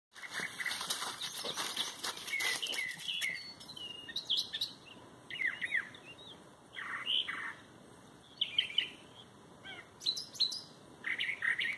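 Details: Unidentified wild birds, thought at first to be a mockingbird but likely not, chirping outdoors: short bright high chirps and trills in scattered bursts, with a steady high whine running underneath and soft fluttering noises early on.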